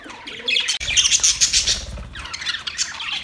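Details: Several budgies chattering to each other in a continuous, busy stream of high, scratchy warbles and squeaks, with a low rumble underneath.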